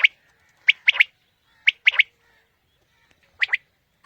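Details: Quail call for morning hunting: crisp, high three-note phrases, a single note followed by a fast pair, repeated about once a second with short silent gaps.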